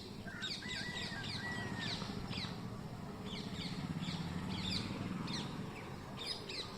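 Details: Green parrots in a mango tree, mobile phone recording: rapid, overlapping shrill screeches throughout, several birds calling together, over a low rumbling background.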